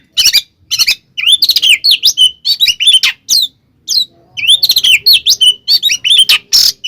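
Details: Oriental magpie-robin in provoking fighting song: clustered bursts of upslurred and downslurred whistles with harsh chips, broken by pauses of about half a second.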